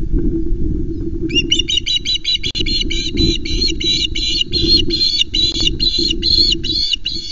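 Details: Osprey on a Loch Arkaig nest in Scotland as fish is brought in; after a second of low rumbling background, a long steady train of high, piping chirps begins and continues evenly, growing slightly stronger.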